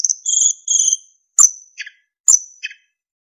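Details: Narcissus flycatcher tutor song: two long, high, slightly wavering whistles, then two pairs of sharp high notes, each followed by a lower short burble.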